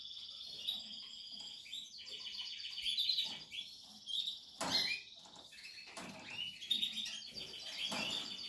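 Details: Nesting Portuguese harlequin canary pours out high rolling trills and chirped phrases throughout, with sharp clicks and knocks from nest activity.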